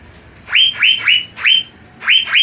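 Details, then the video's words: Blue magpie (cucak biru) song used to provoke rival birds: loud, harsh upward-sweeping notes in quick pairs and triplets, separated by short pauses. "PANCINGAN CUCAK BIRU GACOR || GANAS BIKIN PANAS DAN NAIKIN EMOSI BURUNG LAWAN LAINNYA"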